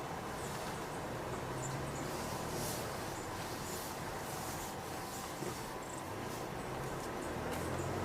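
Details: Steady rumble of a passing train with rattling wheels and occasional high squeals, with no animal calls.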